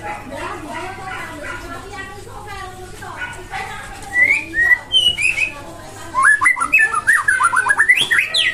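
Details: Murai batu Nias, a white-rumped shama, heard after a murmur of background voices and other birds: bursts of loud whistles, then a fast, jumpy sequence of rising and falling notes.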